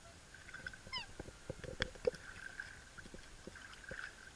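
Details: Black swan (Cygnus atratus) during its mating dance gives one short, down-slurred bugling note amid soft clicks and splashy knocks over a steady background hum.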